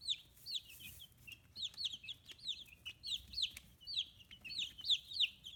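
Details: Chirping of 15-day-old free-range chicks with new feathers in Kitahiroshima, Japan; loud high peeps about three per second, sharply downslurred, from several overlapping birds, with faint clicks between.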